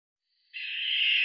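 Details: Barn owl: a single harsh, hissy screech starts after half a second of silence and holds steady, growing slightly louder to the end.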